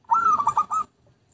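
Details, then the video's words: Zebra dove song used as a lure recording: a short rolling burst of rapid stuttering coos, pitched mid-high and level, lasting under a second, then quiet. "Pikat Merbuk/Perkutut"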